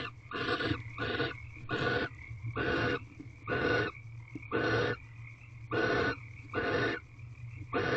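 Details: Barn owls mating in a nest box before dawn (5:19 am, 3/9/23, 20th night) give harsh, raspy twittering bursts, each about half a second long, in a steady series over a low constant hum.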